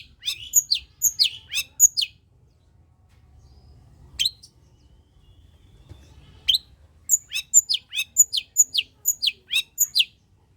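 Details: Long-tailed shrike's pastol gacor song, played to stir reluctant shrikes into singing. Bursts of rapid, shrill, falling chirps open the recording, then a quiet pause with single notes, then another fast volley of piercing notes.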